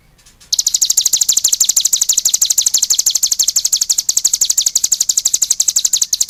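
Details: After a quiet half second, a cigun bursts into a long unbroken high trill of fast repeated, buzzy notes, about ten per second, holding for nearly six seconds.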